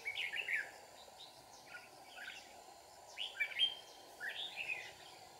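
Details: Red-whiskered bulbul singing during a bird-trapping session at Kim Bôi, Hòa Bình, Vietnam: short warbled phrases of bright chirping notes, about four bursts spaced roughly a second apart, over a steady low hum and faint outdoor noise.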